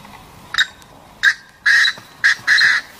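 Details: Partridge calling: harsh, grating notes in a rhythmic run. Short notes come first, then longer drawn-out ones, over a steady background hiss.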